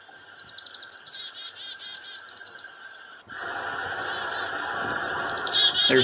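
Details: Three black-capped chickadees in a bush near a farmhouse give rapid, thin, very high chirping alarm notes in quick bursts, warning of a goshawk preying on a dove nearby. Wind noise cuts in midway before the calls return.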